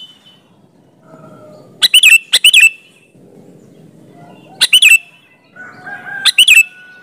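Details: Sooty-headed bulbul singing vigorously as a lure to get other bulbuls answering: paired bursty phrases with ringing, upslurred whistles, repeated three times, with a faint steady tone and low background murmur.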